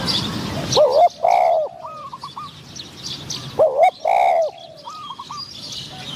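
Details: Caged decoy spotted dove calling to lure a wild dove whose voice is medium-pitched; two loud nearby coo phrases about three seconds apart, each trailed by softer stepped coos from a more distant bird.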